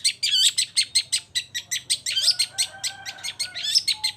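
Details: Long-tailed shrike kept as a songbird in Indonesia, delivering a steady stream of sharp, buzzy chattering notes at a fast, even pace, with a few whistled slurs woven in.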